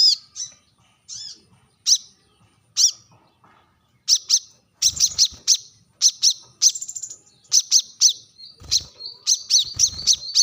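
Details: Sharp rival-calling call of a brown-throated sunbird (kolibri kelapa, manggar, wiceh): scattered high metallic chips that build into rapid runs of piercing ticks and short trills, with steady pauses between bursts.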